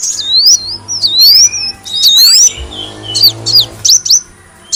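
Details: Lure sound of a kolibri wulung sunbird, with high, slurred whistles that sweep down and then up, followed by a few quick sharp chips and a brief low hum in the background.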